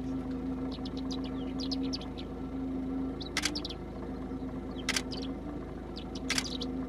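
Greater short-toed lark: high, thin twittering chirps, then dry rattling bursts about every one and a half seconds, over a steady low hum.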